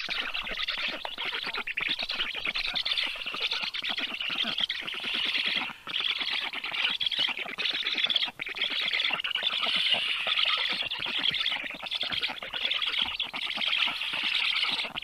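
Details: Nest camera on Black storks in Karula National Park, southern Estonia, morning of 30 June 2023, female feeding fish to chicks; a long unbroken stream of buzzy, hissing chatter with two short pauses.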